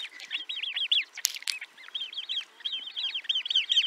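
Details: Great crested grebe (Podiceps cristatus) at Liepāja, Latvia, 2023, giving quick runs of high, arched piping notes, four or five a second, broken by a couple of sharp splashy clicks.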